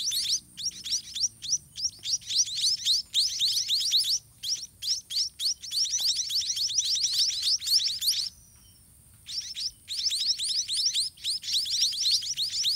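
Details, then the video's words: White-rumped munia chicks begging in the nest while parent birds feed them by regurgitating food: rapid, high, thin chirps in dense bursts, many overlapping, with brief pauses around four and eight seconds. "White-rumped Munia Hatching & Feeding Babies in Nest"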